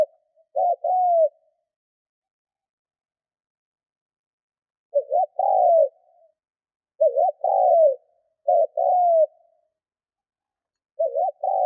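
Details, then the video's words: Decoy spotted dove cooing, used to train lure birds and excite wild doves: short groups of two or three mellow, hoarse coos, the last drawn out and falling, separated by long silent gaps in a clean, quiet recording. "Chim cu gáy mồi Thúc - Gù hay kích bổi"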